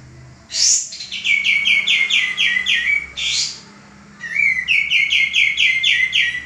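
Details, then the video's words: A male common iora, recorded to train cage birds, mixes sharp high squeaky notes with quick series of down-slurred chirps, about six per phrase, separated by brief pauses. "suara burung kapas tembak jantan gacor"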